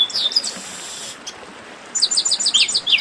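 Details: Chestnut-capped blackbirds in 'baderna': a loud buzzy burst of overlapping notes, a pause, then a quick regular series of high slurred whistles, about three a second.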